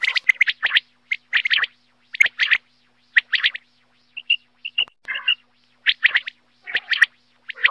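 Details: Common quail (batair) in Pakistan, 2023, singing: quick, liquid, scratchy notes in tight clusters of two or three, repeated about once a second, with a few thinner whistled notes between.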